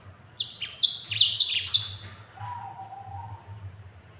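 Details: A yellow-fronted canary (Mozambique) delivers a quick burst of crowded high trills and short down-slurred notes lasting about one and a half seconds, then a thin high note and quiet hum; the song serves as a master recording for other birds.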